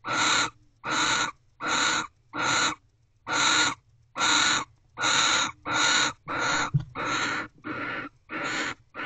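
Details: Male and female barn owl mating inside nest box C just after midnight, 12:44 am, 29 December 2023, after the male's return; rasping, hissy screeches in even bursts, roughly one per second, about twelve in a row.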